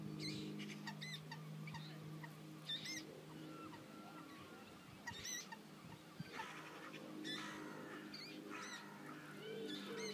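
Moorhen chicks give thin, high peeping calls in scattered bursts, several in quick succession, over a steady low droning hum.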